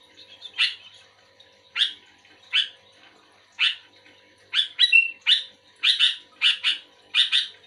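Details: Energetic sooty-headed bulbul responding to another bulbul: soft chatter, then spaced loud chirps that turn into quick paired notes, one with a brief whistle.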